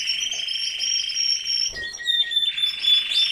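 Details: Canary song from a home aviary in peak breeding season: a long, steady, rapid rolling trill, then a brief pause and a string of varied whistled notes sliding into a high trill.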